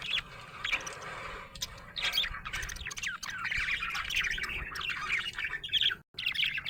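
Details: A happy budgerigar chattering: quick, squeaky chirps and twittering warble running almost without pause, with one brief silent gap near the end.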